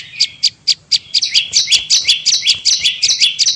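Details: Lure recording of a bar-winged prinia, used to call in wild prinias: sharp separate ticks at first, then a quick run of bright two-part chirps dropping in pitch, about three per second.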